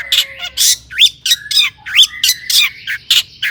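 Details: Long-tailed shrike in lively song used as a lure to stir other shrikes to sing: a steady run of harsh, scratchy notes mixed with rising and falling whistled slurs, roughly three notes per second.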